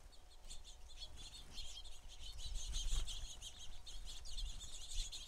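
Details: A crowd of house sparrows at a feeder produces a loud, continuous chatter of overlapping chirps, busiest toward the middle, over a low background rumble.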